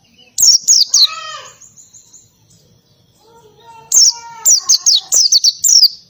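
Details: Oriental white-eye in ngalas style, with canary-like fill notes, recorded as a tutor track for birds at home. Bursts of very high, sharp chirps appear at the start and end. Lower, drawn-out whistled tones sit between them.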